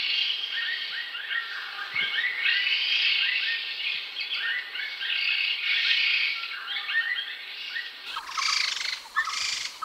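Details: Song of a grey-headed laughingthrush, also known as ground laughingthrush: a long lively stream of varied chattering and whistled phrases, many rising, near continuous for eight seconds, then a couple of harsher bursts.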